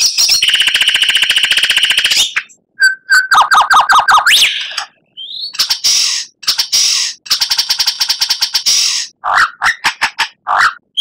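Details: Oriental magpie-robin, a training recording for captive songbirds in Indonesia, with full, varied phrasing: loud bursts of fast, harsh rattles and buzzy trills alternating with short whistled notes and squeaky slurs, separated by brief pauses.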